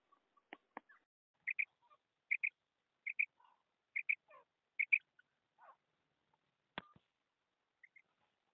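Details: A female Common Quail calls in clean, quiet surroundings with paired sharp notes, mostly two-note couplets repeated about once a second, plus a few scattered softer chirps and clicks.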